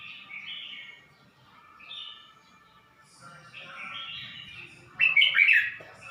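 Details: Red-whiskered bulbul, a caged bird in Suan Phueng, Ratchaburi province, Thailand, 29 May 2020, just beginning to sing after three weeks with a new owner; soft, spaced whistled notes, then a sudden loud, tumbling burst near the end.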